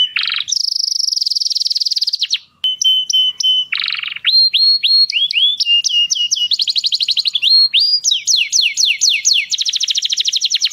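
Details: Canary singing to instruct young birds: a sustained ringing trill, a brief gap, buzzy notes, then rising whistles building into fast rolling trills and repeated descending sweeps.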